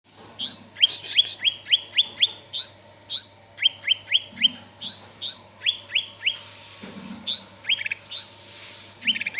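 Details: Greater green leafbird (cicak ijo) singing in lively gacor style: short upward-sweeping whistles alternate with higher sharp chirps, delivered in quick runs across nine seconds, over a steady low hum.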